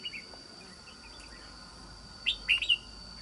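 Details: Red-whiskered bulbul, a trapped wild island-forest singer, mostly quiet before a sudden short phrase of three or four bright, slurred whistles near the end, over steady background tones.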